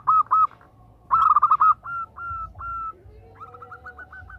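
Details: Zebra dove; call; female calling to a male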